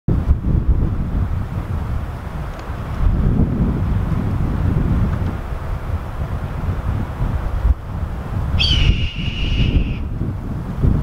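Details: Several red-tailed hawks screaming on 7 January 2019 in Vancouver, BC, Canada: one drawn-out, high, slightly falling scream lasting over a second near the end, over heavy low wind rumble.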